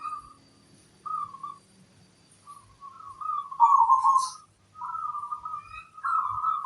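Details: Singing local zebra dove noted for a big 'kung' voice: short soft coos, then a longer rolling phrase and steady flat hoots, with a brief high hiss midway.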